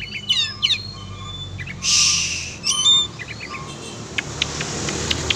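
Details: Oriental magpie-robin, a kacer being exercised, gives quick high chirps and short whistled phrases, broken by a loud hissing burst near the middle, over steady low background hum.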